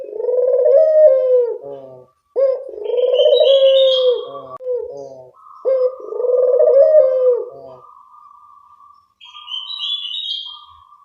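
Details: Barbary dove cooing, played as a lure to attract birds: three long, rolling coos, then a steady flat whistled tone that carries on to the end.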